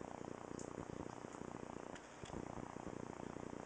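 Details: A macaw named Louie snores while sleeping with his eyes open: a low, rattling purr of fast, uneven pulses, briefly pausing near the middle before resuming.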